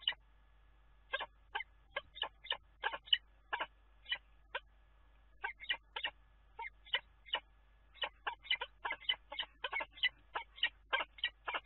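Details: Kestrel at a nest on the Scheveningen water tower of Dunea, 10 April. Brisk, hard-edged call notes come in loose groups with short pauses, becoming a fast chattering sequence later. A faint low hum runs underneath.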